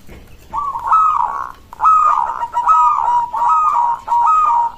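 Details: Local zebra dove song, said to draw an immediate reply from other zebra doves; five smooth, slightly wavering cooing phrases near one pitch, each about half a second long, with short gaps between them.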